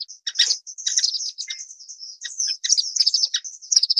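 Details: Brief burst of rapid, high, sibilant twittering from an orange-cheeked waxbill, notes overlapping in a steady stream.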